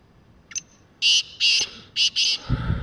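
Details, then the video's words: Wild black francolin calling: a short faint note, then four loud, harsh, grating notes in quick succession, the last two run close together. A low thump is heard at the end. "Kala Teetar Full And Clear Voice"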